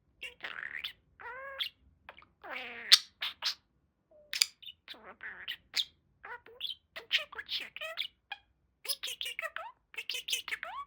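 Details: Pet male budgerigar, a talking parakeet kept as a pet, mimicking speech: a rapid run of short harmonic, voice-like syllables and sliding tones mixed with sharp chirps and clicks, delivered in quick bursts with brief pauses between phrases.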